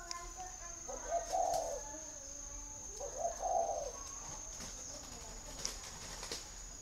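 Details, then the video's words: Caged spotted dove from a bird garden near Hanoi in northern Vietnam coos twice, each a muffled low phrase of a short note then a longer throaty coo, about two seconds apart, with faint tonal background notes and clicks. "chim cu gáy hay"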